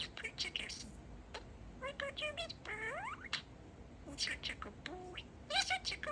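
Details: Talking parakeet, a male pet budgerigar, chatting and saying 'Peek-e-boo'; rapid clipped syllables, a fast rising glide of stacked tones, short flat whistles and harsh chatter bursts.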